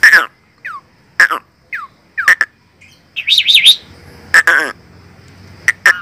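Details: Asian pied starling described as fierce, delivering harsh broadband bursts, downward-slurred whistles and a quick rising-falling warbled run midway, separated by short silences.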